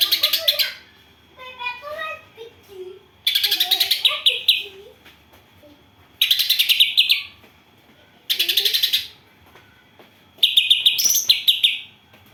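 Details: Greater green leafbird singing with house sparrow-style filler, set against a rival bird: five harsh, rapidly pulsed chattering bursts, each about a second long, alternating with softer, lower slurred whistles and warbled notes.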